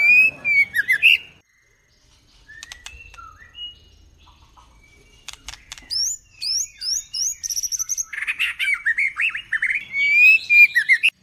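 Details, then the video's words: Female White-rumped shama in first plumage, recorded 2021: a loud burst of rich whistled warbles, a quiet pause with scattered soft notes and clicks, then a rapid run of varied whistled and buzzy notes building to clear slurred phrases. "เสียงนกกางเขนดง หรือบินหลาดง"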